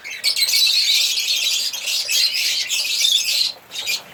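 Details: African lovebirds singing, high shrill chattering with thin whistled squeaks, in two long bursts followed by short fainter calls.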